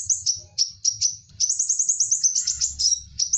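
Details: High-pitched sunbird song made of short sharp notes that speed into a rapid sparkling trill, recorded as a master track for teaching other songbirds, with a soft low background hum.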